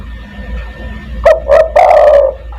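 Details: Spotted dove, 'kuk 1' style lure call meant to attract other doves: one phrase of two short low coos followed by a long, wavering, drawn-out coo, with a faint steady background whine.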